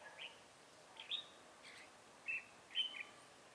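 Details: Red-whiskered bulbul in a decoy trapping setup on 7 January 2018; four or five brief warbled notes spaced irregularly, each a quick rising-falling chirp, with quiet gaps between.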